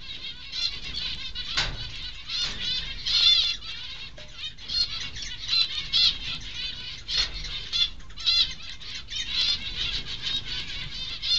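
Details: Zebra finch nestlings a few days old, one preening, keep up a dense, high, buzzy chatter of rapid begging calls.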